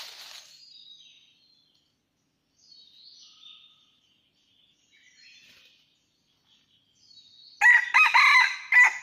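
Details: Junglefowl call during trapping in rocky mountains, 17 March 2019: quiet thin bird whistles for several seconds, then a loud grating crow of four quick pulses closes the recording.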